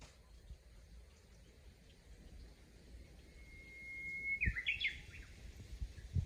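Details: In a rural chorus of singers, a Japanese bush warbler holds a clear, level whistle for about a second, then snaps into a fast, jumpy, upward-climbing flourish over steady hissing background noise with low thumps.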